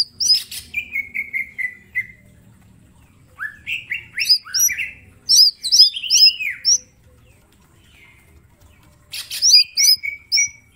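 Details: Mini green leafbird in full song with sharp shot-like notes, a master recording for training: rapid high whistled phrases, a run of even falling notes, then bursts of looping chirps separated by brief pauses.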